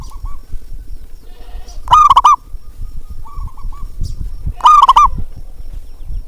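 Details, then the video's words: Zebra dove lure call meant to stir quiet doves into singing: two loud, trilled coo bursts about three seconds apart. Fainter answering coos sound at the start and in the middle over a low background hum. "panggilan untuk perkutut malas bunyi"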